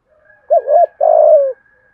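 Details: Spotted dove decoy call meant to draw in wild birds: a wavering double-humped coo followed closely by a longer, mellow coo that drifts downward, over a faint steady hum.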